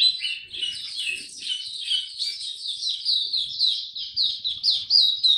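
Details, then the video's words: Mata Puteh (white-eye), a young male whose song is still maturing, Dagger style, 9 February 2022: an unbroken rapid chatter of high, slurred notes, about three to four per second. "Mata Puteh Dagger Video 1 buka sing tiong aw studying his progress n maturing"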